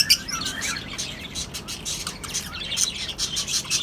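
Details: Colony setup of lovebirds, cockatiels and budgerigars: dense, overlapping high chirps and short sweeping calls run almost without pause, with several birds calling at once.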